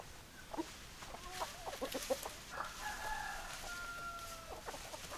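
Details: Chicken sounds: a distant rooster crow, a long, steady, sustained harmonic note held for about two seconds, follows soft irregular clucking and clicking notes over background hiss.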